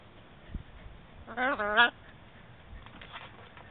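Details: Shamrock macaw giving two loud, harmonic, nasal squawks in close succession, each about a quarter second, the second slightly longer and falling in pitch, over a quiet indoor background with faint low rumbles.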